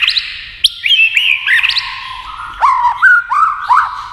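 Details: White-rumped shama singing against a TV while flicking its tail, delivering fast, varied whistled phrases that sweep up and down, with sharp clicking notes and a sequence of repeated rising slurs near the end.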